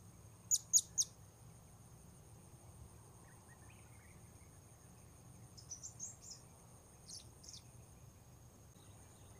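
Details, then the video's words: Blue-crowned hanging parrot recorded during a session luring wild birds: three sharp, very high, clipped notes in quick succession open the recording, followed later by a few fainter high chirps over a low steady background hiss. "Memikat Serindit Di Port Baru"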